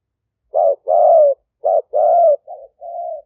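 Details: Spotted dove of an aggressive decoy strain, recorded live on a smartphone in Roi Et, Thailand, in 2021, used to lure wild doves into a trap. Low mellow coos come in short-then-drawn-out pairs, with a softer pair at the end.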